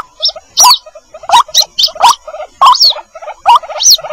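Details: Lure recording of a white-breasted waterhen chick calling for its mother: sharp, rising, bent notes separated by soft, fluttering, lower notes, in uneven bursts roughly every half second.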